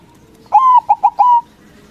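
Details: White zebra dove, a local bird with a loud voice, singing so that rival doves answer at once. A long level coo, two short clipped coos, then a final long smooth note, cleanly recorded.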